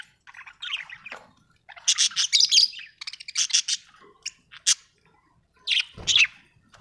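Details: Singing budgie in a cheerful mood, with rising whistled chirps, clusters of scratchy notes and sharp ticks, a single low thud near the end.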